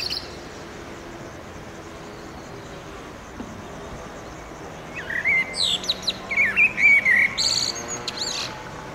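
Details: A male common blackbird singing at sunset from a spot near a railway pedestrian bridge in urban Oradea, territorial song: a short fluty, mellow phrase ending in a thin, squeaky twitter, after several seconds of quiet.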